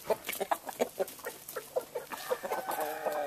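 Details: Chickens on a ranch in northern California, roosters with a gray hen during mating: a quick run of short, sharp clucks, roughly five per second, then drawn-out tonal cackling notes toward the end.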